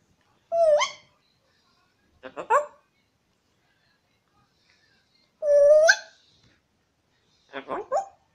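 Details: A 25-month-old pet African grey parrot talking while asking for its snack: four separate voiced, speech-like phrases with rising, slurred harmonic sweeps, spaced a couple of seconds apart in a quiet indoor room.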